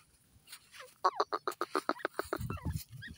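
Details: A grey francolin (Ortygornis pondicerianus) in a forest gives a fast run of about a dozen loud, harsh, cackling notes that fade toward the end, over a low background rumble.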